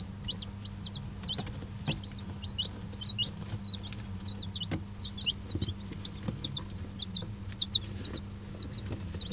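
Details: Young Dutch bantam and Barbu d'Anvers chicks, five days old, kept in a brooder with an electric hen for warmth; many short high cheeping notes overlap continuously above a constant low hum.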